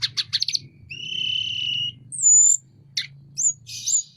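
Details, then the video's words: Sunda robin in full song with wings spread: a quick burst of chips, then a long steady whistle, a sharp falling note and short rising whistles; a low hum runs beneath. "Burung Tledekan gunung gacor buka sayap"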